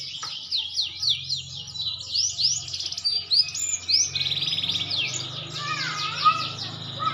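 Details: Maturing green canary in song: quick falling whistled notes in a run, then sweeping slurred phrases and a steady trilled passage, with a few lower chirps near the end and a low background hum throughout.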